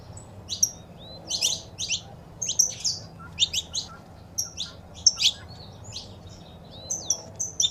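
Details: Saffron finch audio meant to rouse caged birds, combining female calls with a singing male: steady run of sharp, high chirps and quick slurred notes, some rising whistles, over faint low background noise.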